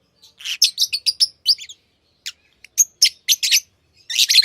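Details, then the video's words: Tamed pet lovebirds chatter in quick runs of shrill, buzzy chirps and squeaks, with a brief gap mid-way and a dense burst of chattering at the end. "Love birds Sounds | lovebirds chirping sounds"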